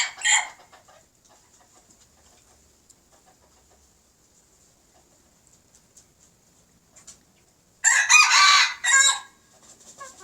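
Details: Red junglefowl, old brood male with young learners crowing: a short loud crow at the start, about seven seconds of faint chatter and a thin high hiss, then a loud two-part harsh crow, with soft notes trailing.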